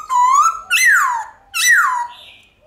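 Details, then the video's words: White-cheeked laughingthrush, forest-style song for spurring pet birds: three loud, pure whistles, the first wavering and level, the next two rising sharply then sliding down, spaced under a second apart, ending with a faint softer note. "Khướu Bạc Má Hót Giọng Chuẩn Rừng Ngân Dài Cực Hay"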